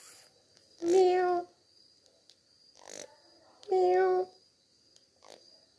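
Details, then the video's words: Talking parrot during a head massage, making two drawn-out, nasal, meow-like calls about three seconds apart, with faint rustling between them. "Talking Parrot enjoying head massage"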